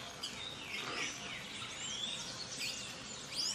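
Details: An orange-cheeked parrot at Jardim da Amazônia, Mato Grosso, Brazil, on 14 June 2024 gives squeaky, sliding whistled notes rising and falling several times, over a steady hiss of forest insects and other distant birds.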